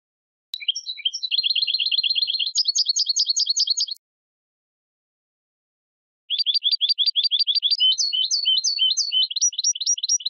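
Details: European goldfinch in full song on a clean recording: two long bursts of fast metallic twittering, a steady rattling trill followed by higher clipped tinkling notes, with a pause of about two seconds between. Background silent.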